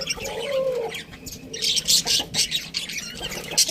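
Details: Budgerigar chirping: a low, faint warble opens the clip, then bursts of bright, high chirps and chatter run through the second half.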